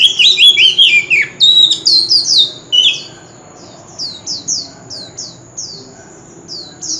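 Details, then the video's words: Rapid warbling whistles from a male white-rumped shama singing nonstop in contest style with a forest-standard voice, followed by a series of softer, evenly spaced high chips. "Chòe Than Trống Hót Liên Hồi – Âm Thanh Chuẩn Giọng Rừng - Chích Chòe Than Hót Đấu"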